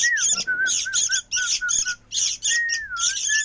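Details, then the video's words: Sooty-headed bulbul chick squawking in harsh, noisy bursts with short silences, with short whistled notes and one longer dipping whistle between them. "Ributnya ini Anakan burung Kutilang"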